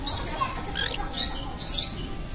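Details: Green-cheeked conure at a petting-zoo school in a shopping centre in Matsuyama, Ehime, preening its companion, gives soft, high, squeaky chirps in three brief bursts over about two seconds, with a faint hiss behind.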